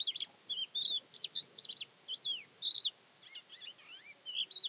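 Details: Song of a Thekla's lark recorded near Castro Verde in Portugal's Alentejo, April 12th 2017; clear fluting whistles, some sweeping up and down, mixed with quick twittering phrases and short pauses between them.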